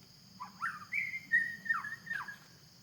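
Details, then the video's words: Forest-dwelling white-rumped shama delivering a short run of slurred whistles, rising then held and falling, with a constant high insect hum behind. "Suara burung murai batu di hutan"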